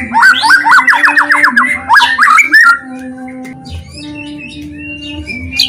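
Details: Lure song of a white-rumped shama, played to provoke other shamas into song: a fast run of repeated chattering whistled notes for about three seconds, then near quiet with faint notes and a low hum.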